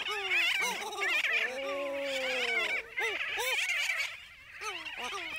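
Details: Christmas shearwaters (ʻaoʻū) at a breeding site on Eastern Island, Papahānaumokuākea, Hawaii, where chicks shelter among naupaka, give overlapping wailing, moaning calls with arched rising-and-falling notes and harsh raspy bursts, several birds calling at once.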